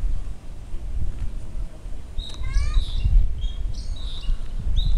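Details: Bird at Jiufen, Taiwan, chattering with short high chirps, a quick stepped series of notes and scattered whistles, over loud low rumbling wind or traffic noise.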